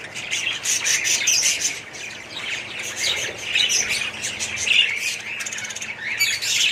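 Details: Budgerigars in an aviary colony chattering together, bursts of chirps and scratchy warbles rising and falling in loudness.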